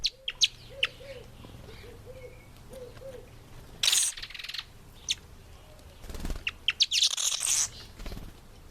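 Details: African green pigeon feeding on an apple gives a quick series of short, low, arched notes, followed by loud rustling bursts and sharp clicks from feeding or movement.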